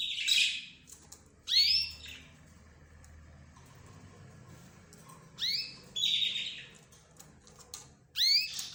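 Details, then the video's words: Pet birds, including budgerigars, zebra finches and canaries, call in a shared recording. Short loud bursts of sweeping, high chirps come about every two to four seconds, with quiet gaps and a low background hum between them. "حديث الطيور"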